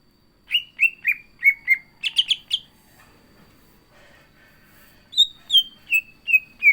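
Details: Greater green leafbird (cucak ijo) in a lively, chatty song with mimicked phrases: a run of short slurred whistles, a quick burst of chirps, a pause, then a falling series of clear whistled notes.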